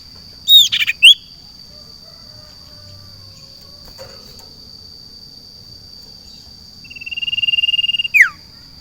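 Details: Garden-placed caged sirtu: a brief burst of sharp whistled notes opens, then a long pause, then a fast buzzy trill that swells and drops into a downslurred note. A steady high hum continues throughout.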